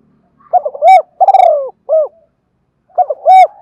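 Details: Spotted dove calling, meant to set decoy doves cooing: a phrase of rapid soft notes and a rounded hoot, a long wavering downward note, another hoot, then a fresh start of quick coos.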